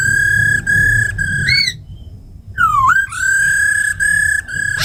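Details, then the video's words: Captive laughingthrushes, a female with a rattling 'ro khẹt' voice and a tame khướu mun, singing in wild-style voice to rouse newly caught birds: loud, clear, sustained whistles on one pitch, repeated in series, with a short rising slur and a brief pause. "Tiếng chim khướu mái ro khẹt + khướu mun thuần hót giọng rừng kích bổi căng lửa"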